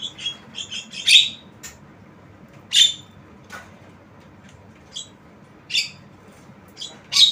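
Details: Tame Javan myna making unusual sounds: scattered harsh, scratchy squawks and chattering bursts separated by quiet pauses of one to two seconds.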